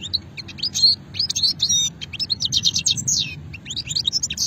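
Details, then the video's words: European goldfinch singing in Sétif, Hammam Guergour, 2020: a continuous rapid stream of bright twittering, liquid chirps and short buzzy notes, with a constant low background hum. "مقنين شتلة قديمة"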